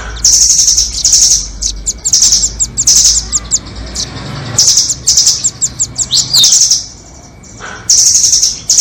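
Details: Nuthatch lure song for trapping, doraemon versus red-billed types: repeated high, buzzy trill bursts mixed with staccato ticks, then a quiet gap before one more long shrill rattle.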